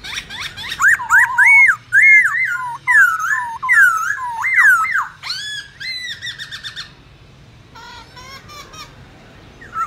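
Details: Black-throated laughingthrush singing in wild style, its song played each morning to train young birds to sing forest phrases: loud, rich whistled phrases of slurred rising and falling notes in a rapid run, then a pause and a few fainter notes.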